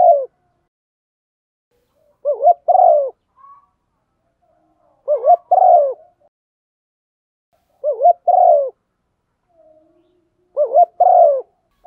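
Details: Female spotted dove cooing to stimulate a male, a recording meant for luring birds: soft low two-note hooded coos followed by a longer warbled coo, the phrase repeated about every three seconds in a quiet setting.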